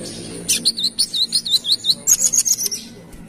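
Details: Kalimantan brown-throated sunbird singing vigorously: a fast run of about ten bright, high wavering chirps, then a shorter set of even higher piping notes, all sharp and evenly spaced.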